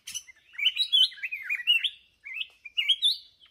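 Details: Red-whiskered bulbul, a mature wild-caught bird praised for its good voice, from Ho Chi Minh City, Vietnam, singing lively warbled phrases that rise and fall in quick bursts, with a short pause before a final rising flourish.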